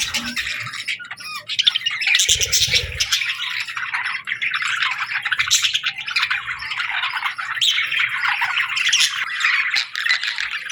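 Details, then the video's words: Budgies in the afternoon giving a steady, bubbling warble of high chirps, whistles and scratchy notes from several birds, with a short low thump near the start. "Budgie Afternoon Whistles"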